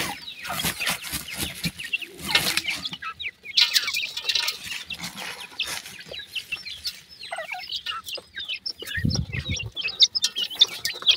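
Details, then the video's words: Chicks of the black francolin, or kala teetar, calling their mother. Rapid high chirps crowd the second half, with loud scratchy rustling and clicking noises at the start and a brief low thud. "pheasant bird chicks calling mother,sindhi titar k bacchay"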